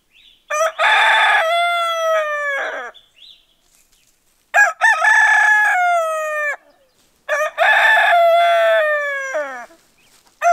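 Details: A rooster crows three times, each a long harmonic cock-a-doodle-doo that holds steady and then slides downward, with short silent gaps between crows.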